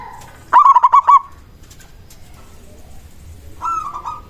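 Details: Local zebra dove used as a lure to provoke other doves into calling: one crisp, rapid burst of five stuttered coos, then silence before a softer, fainter phrase begins near the end.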